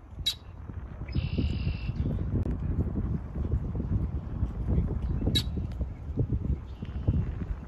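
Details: Red-winged blackbirds sing on the first day of spring, giving sharp, clipped notes and a harsh, buzzy trill lasting under a second, with a fainter buzz later. Heavy wind rumble runs throughout.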